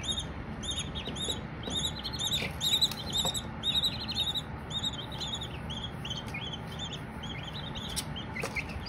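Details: Baby Silkies peeping steadily, strings of high arched chirps roughly twice a second, occasional brief clicks and taps in the background.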